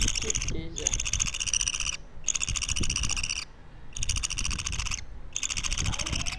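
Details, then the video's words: Young pet parakeet, two weeks old, giving five loud grating, buzzy rasps lasting over a second each with brief silent gaps between, against a low background rumble. "Sounds baby parakeets make"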